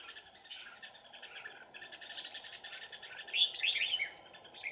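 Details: Red-whiskered bulbul used as a decoy to lure wild birds to a trap, deep in the mountains on a cold afternoon, 15 December 2018; busy overlapping chirps and short warbled phrases, louder bright bursts near the end.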